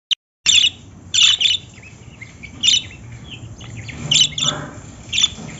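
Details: Lovebirds giving short, sharp, high chirping calls in clustered bursts, with quiet gaps between and a faint low hum beneath.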